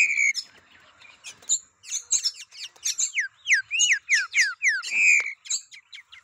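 Green-winged saltator singing a rapid run of clear whistled notes and down-slurred phrases, bright and high-pitched, with brief pauses between bursts.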